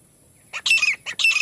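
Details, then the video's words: Partridge (teetar) calling: two harsh, squawking bursts about half a second apart, each a rapid cluster of rasping notes with a bright high edge, over a quiet background. "तीतर ना आने वाला बेस्ट आवाज। The best sound of the partridge not coming | partridge voice"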